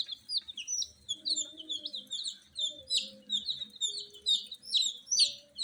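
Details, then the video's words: Loud peeping of just-born frizzle (fracas) chicks at night, many sharp high chirps tumbling together about twice per second, some rising then dropping, with a soft low hum underneath. "Tot Murgi Chicks Chirping Sounds - Just Born Baby Gallina FRACAS Chicks Piar Loudly Sound"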